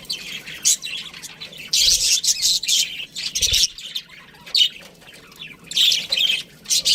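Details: Pet budgie chirping in loud bright clusters separated by brief pauses, the calls harsh and high, with a soft low thud midway.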